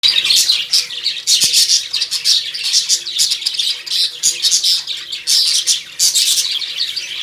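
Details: Lovebirds kept in a cage at home, a blue lovebird among them, chirping continuously: dense, high, scratchy chatter with overlapping short notes and no pauses, and a few clicks from the cage.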